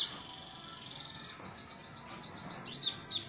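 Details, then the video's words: Cinereous tit song: a faint, brief high chirp at the start, then a quick series of thin, repeated high notes, ending in a louder burst of sharp, high twittering phrases over a soft, steady background hiss. "Suara Burung Gelatik Batu"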